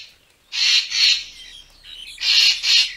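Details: A racket-tailed treepie gives harsh, rasping, high-pitched notes, two pairs of grating bursts about a second and a half apart, recorded for luring birds for photography; finding: racket-tailed treepie.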